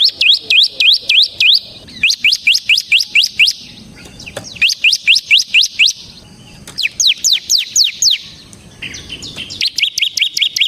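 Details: Bar-winged prinia, 'semi' type, in continuous 'ngebren' song used as a lure and tutor for training birds: four rapid bursts of about six sharp, high, slurred chips each, with brief gaps between bursts.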